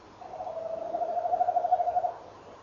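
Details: A single male tawny owl roll at 06:45 on 18 November 2013, the female answering him. One sustained, rapidly pulsing low trill of about two seconds, steady in pitch and swelling slightly before fading.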